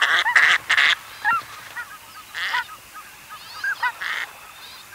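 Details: Distant female northern pintail (Anas acuta) giving harsh, cackling quack flight calls in quick bursts while being pursued by males, mixed with soft whistled notes from the chasing males.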